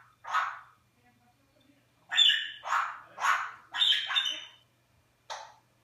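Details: Pet Eclectus parrot, recorded 21 January 2015, talking in English and Flemish; one scratchy syllable, then after a pause a quick string of four loud hoarse word-like bursts and a final short one.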